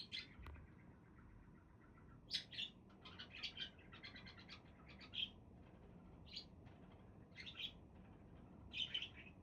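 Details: Budgerigar calls: soft scratchy chatter then separated high chirps and squeaks, fairly quiet, with low hum underneath.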